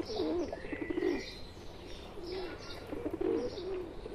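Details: Wavering, throaty pigeon coos rising and falling in two phrases, from a tame pigeon among wild ones in India, over soft chirps and a thin whistling bird.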